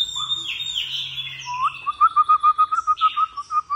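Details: Oriental magpie-robin singing at home in a cage: high slurred whistles, then a quick, even series of about fourteen short repeated notes, several per second.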